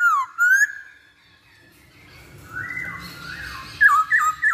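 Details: Masked laughingthrush song used as a lure to get birds singing quickly: loud clear whistled notes, a falling slur then a rising one, a quieter wavering whistled passage, then sharp rising and falling whistles at the end.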